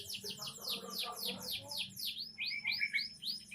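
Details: Young canary rapidly repeating high, down-slurred sweeps, about four a second, then switching to a quicker series of short hooked notes.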